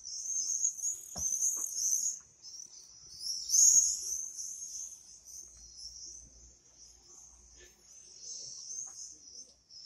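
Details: Swifts in song: piercing high buzzy screams in waves, loudest near the start and around the middle, fading to a thinner trill, with a few faint knocks.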